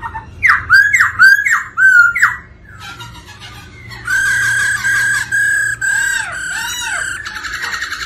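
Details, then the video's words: Excited song of a black-throated laughingthrush with the female 'ro ro' call for stimulating males: four loud looping whistles about half a second apart, a pause, then a long sustained rich whistle broken by brief gaps and arching notes. "Chim khướu Bạc Má hót múa tiếng mái ro ro kích tróng"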